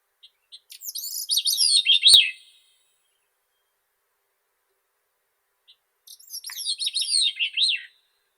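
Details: Grey-cheeked thrush giving two reedy, descending song phrases separated by a pause of several seconds, short soft notes leading into each, with a single click at the end of the first.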